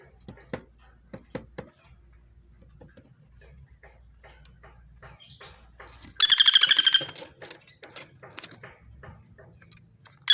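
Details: Common flameback, known locally as pelatuk bawang, recorded clearly for training: scattered soft clicks and faint chirps, then a loud rapid rattle of about a dozen harsh notes, and the start of another at the end.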